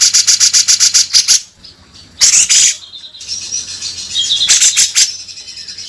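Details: Energetic bearded bulbul song in rough 'beset kasar' style, opening with a fast series of sharp repeated chips, then scratchy bursts and a few thinner whistled notes, ending in more rapid harsh chatter.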